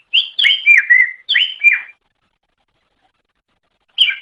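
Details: Greater green leafbird on a master recording used to train songbirds: a series of clear, downward-sliding whistles for about two seconds, then silence, then one more note at the close.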